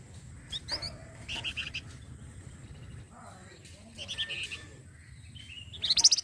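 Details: Masteran flamboyan song for tutoring other cage songbirds: scattered short chirps and trilled phrases, ending in a louder high rattling burst, with a low rumbling background throughout.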